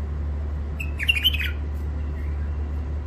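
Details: Newly caught wild bird from the Mandali crossing region, Iraq, in first isolation, delivering a half-second run of shrill, rapid chirps that slide downward, with a loud steady low hum underneath.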